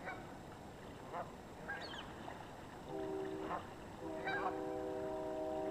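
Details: Geese in a flock on the Yakima River honk sporadically, short nasal calls scattered through the recording, joined near the end by long steady tones that keep going.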